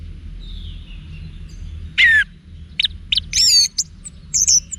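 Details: Song of an orange-headed thrush used to train caged birds: scattered sharp high notes and a slurred, wavering whistled phrase, loud and separated by brief pauses, over steady low background hum.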